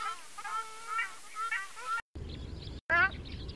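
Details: Ruddy shelduck (Tadorna ferruginea), call.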